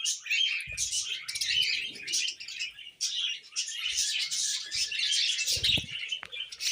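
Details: Steady budgie chatter from tame pet birds, with a blur of high, raspy twitters and chirps and occasional soft thuds and rustles underneath.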